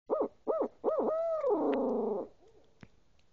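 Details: Owl hooting: three quick arching hoots, then a long, drawn-out note that wavers and slides downward before fading. Faint clicks follow in the quiet tail.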